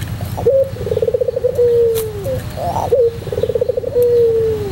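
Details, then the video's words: White pelung Barbary dove performing: two low coos, each with a brief upward note, a bubbling trill, then a sustained descending tone, set against a continuous low mechanical drone; meant as a training tutor. "masteran puter pelung putih manggung"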